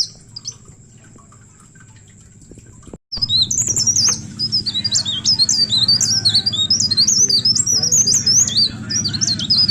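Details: Leaf warbler used to entice other birds to sing: after about three quiet seconds, a burst of rapid, high, twittering song of sharp slurred notes continues to the end over a low hum.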